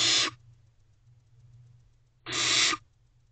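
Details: Barn owl owlet in a nest box, morning of 17 May 2023: two harsh, breathy hissing screeches about two seconds apart over a low steady hum.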